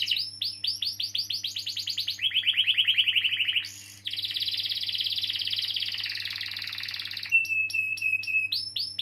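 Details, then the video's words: Rolling canary song meant to prompt young or silent canaries to sing: rising looped whistles, a lower rattling trill, a short burst, then a long dense roll and sharp sliding notes over a steady low hum. "Kenari Gacor Ngeroll panjang || Pancingan Kenari paud atau macet bunyi"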